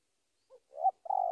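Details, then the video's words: Spotted dove calling to a rival: a soft short coo, a brief pause, then a louder rolling coo and the start of a long, steady trilled final note that is cut off. "Suara Panggilan Tekukur memanggil Lawan"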